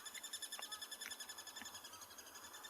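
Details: A crested barbet at sunrise in Tswalu Kalahari Reserve, South Africa, on 27 July 2020 gives a monotone trill near a water hole, a rapid, even run of pulses held without a break like a ringing alarm clock, with faint other bird notes behind.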